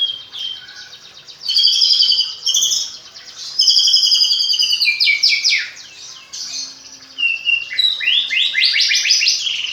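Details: Fluent isian fill-in song from a magpie-robin raised from a fledgling: high whistled phrases alternate with brief pauses, then a fast cascade of rising sweeps and crisp chirps closes the passage.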